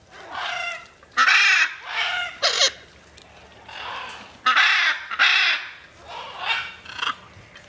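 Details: Raucous squawking from macaws flying free, with eight or more harsh calls in uneven clusters, some paired closely and others separated by short silences.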